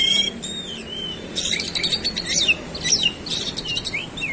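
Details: Kacer, the oriental magpie-robin, singing fast and continuously in 'roll speed' style, unloading its 'isian' mimicry: dense tumbling run of sliding whistles, chirps and scratchy notes with hardly a pause.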